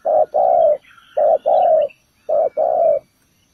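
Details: Spotted dove calling as a decoy for trapping wild doves. Three low coo pairs, each a brief note then a longer one, are spaced about a second apart. A faint chirp sounds between them.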